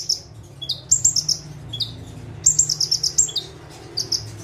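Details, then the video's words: Bar-winged prinia (ciblek) in energetic tembakan song from a single perch; high ringing chirps, some dipping sharply, strung into fast rattling bursts of six or seven notes with brief gaps between. "KONIN GACOR FULL TEMBAKAN - CIBLEK / PRENJAK TEBU"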